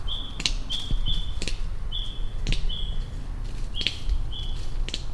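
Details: Male lyrebird named Shorty at Dorrigo National Park gives short, flat, high half-second whistles mixed with sharp cracking snaps, showing off to another unidentified bird on a log, over a low background rumble.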